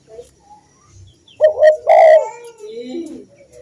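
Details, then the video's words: Spotted dove song meant for training caged birds. After a quiet start, a short burst of low coos arrives: a clipped note, then a longer drawn-out coo. Softer trailing notes and faint background sounds follow. "masteran burung tekukur/derkuku"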